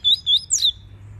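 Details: A captive double-collared seedeater (Sporophila caerulescens) gives its tui-tui song, played to train young birds and stimulate females: a quick run of clear, high whistles, two level then a sharper note sliding down, in a quiet setting.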